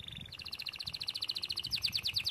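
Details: Canary song heard at lower volume: a brief high whistle, then a long, steady series of quick repeated chirping notes, speeding slightly toward the end, over a noticeable low rumbling background.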